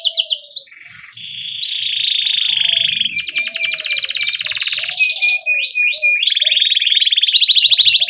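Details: Gacor canary ngerol song, used as a master to start young canaries singing: a short dip, then long buzzy high trills and rattles with sharp rising notes, faint lower chirping from other birds in the background.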